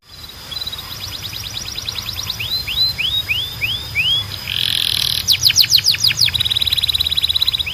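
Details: Canary song played to encourage other canaries to sing: a fast trill of short sweeps, five slow looping slurred whistles, then a buzzy burst and rapid rolling trills, with a faint steady high tone throughout.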